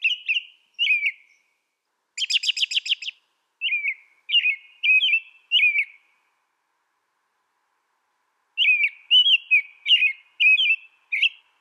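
American robin caroling in short, clear whistled phrases, rising and falling, with a brief burst of thin, scratchy notes and a pause before the carol resumes.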